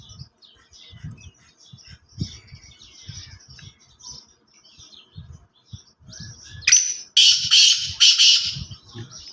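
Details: Black francolin giving its loud call: several seconds of faint twittering from other birds and low rumbling, then a sudden series of three or four harsh, grating, buzzy phrases in quick succession.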